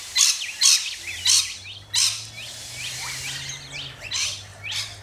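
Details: Rainbow lorikeets in Australia giving loud harsh screeches about once every half second, followed by softer chattering and thin whistled notes.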